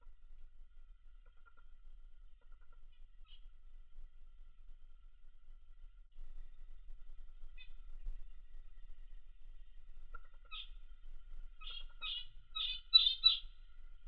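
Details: A pet Australian zebra finch relaxing in a workspace gives short, nasal, toy-trumpet beeps after a long quiet stretch.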